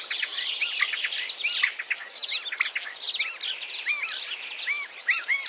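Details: Common Starlings in Central Russia sing and chatter in a dense, overlapping mix of high whistles, squeaky rising-and-falling chirps and clicks, several birds seemingly at once, nonstop.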